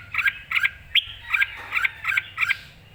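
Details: Red-whiskered bulbul, excited and singing clearly: short bright phrases of two or three warbled notes, repeated about every third of a second, with a low steady hum underneath.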